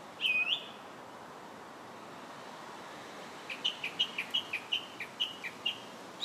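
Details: Song thrush singing in July: a single swooping whistled phrase, a pause of about three seconds, then a quick run of short, sharp whistled notes repeated in pairs.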